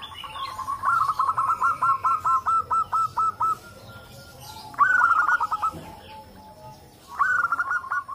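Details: Local zebra doves calling in a group as a lure to prompt other doves to call: a long run of about fourteen evenly spaced pulsed coos, followed by two brief bursts of rapid trilled notes.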